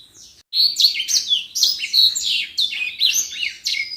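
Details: Energetic common iora song meant as a tutor recording: after a half-second lull, a dense stream of high, bright whistled notes and quick down-slurred chirps, varied and unbroken for over three seconds.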